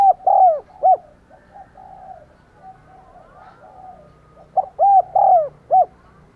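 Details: Spotted dove kept as a decoy to attract wild doves, delivering two soft four-note coo phrases about four seconds apart, middle notes long and arched, with faint background bird sounds.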